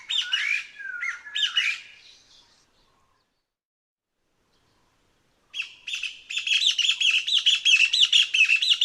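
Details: Taiwan Partridge, endemic to lowland and foothill forests of Taiwan, song of squeaky notes: a few slurred squeaky phrases, a silent pause of about three seconds, then a rapid, dense run of squeaky repeated notes building up.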